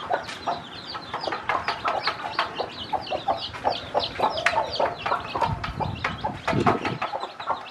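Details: Brood hen teaching her many baby chicks to eat, giving repeated low clucks while the chicks cheep constantly in high arched notes; brief low rumbling near the end.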